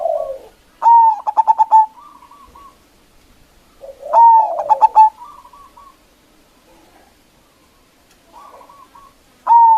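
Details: Decoy zebra dove of local type luring and provoking rivals: repeated phrases of a bright rising coo then five or six quick stuttered notes, each followed by soft stepped trills, with long pauses between.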